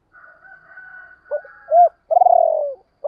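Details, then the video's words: Spotted dove luring call for wild doves. A thin, steady, whistled tone opens, then short arched coos lead into a long, throbbing coo that falls gently, followed by a final short note. "tiếng chim cu gáy kích bổi và tập mồi hiệu quả, tiếng gáy gọi dục bổi rất xiêng gáy"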